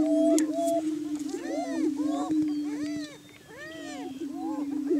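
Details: Greater Prairie Chickens in morning courtship on a Kansas lek, claiming breeding territory: a low droning boom with tall arching hoots repeated about every half second, fading briefly before resuming.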